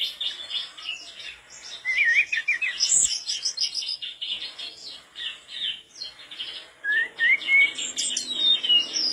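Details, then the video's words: Tledekan bakau, the mangrove blue flycatcher, singing nonstop in a recording made to tutor other songbirds: a fast, continuous jumble of high twittering notes with wavering whistled phrases woven through it. "tledekan bakau gacor teler"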